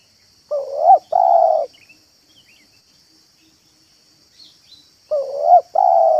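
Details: Spotted dove calls used as a lure to draw doves into a yard: paired hoarse, throaty coos, one rising and one level, with a gap of about three seconds between pairs and a faint high hum throughout.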